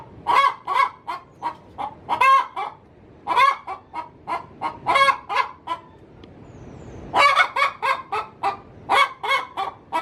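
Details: Hen cackling in her coop just before laying an egg, a call said to lure wild male junglefowl: loud staccato clucks in rapid bursts, pausing briefly, then a fresh run of sharp repeated notes.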